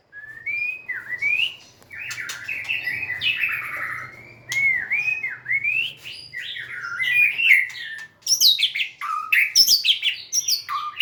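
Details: White-rumped shama, a cage-bird songster, delivering a long varied song of whistled phrases, rising and falling slurs and sharp high notes, with brief pauses near two and eight seconds; a faint low hum underneath.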